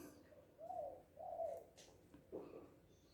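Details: Tekukur, also called Balam or Anduhur Bolon in Batak, a spotted dove said to be happy and loud: two smooth, low coos back to back, then a shorter third note, over a faint hum.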